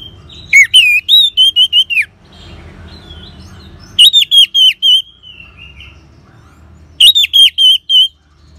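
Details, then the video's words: Orange-headed thrush song from northern Bali, used to prompt caged birds to sing: three loud bursts of rapid looping whistled notes, each a fast run of about six notes, with brief quieter pauses between. "Suara Ngeban Untuk Pancingan ANIS MERAH"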